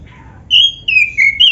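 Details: Oriental magpie-robin (black-breasted kacer) played to get other magpie-robins singing: three clear, loud, drawn-out whistled notes, each slightly falling, after a faint softer whistle; low hum behind.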